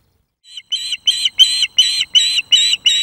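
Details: Osprey food-begging at a Loch of the Lowes webcam nest, May 2024, as a young male courts a female with fish. The clip opens with a short silence, then seven loud, clipped, whistled squeals repeat about every third of a second.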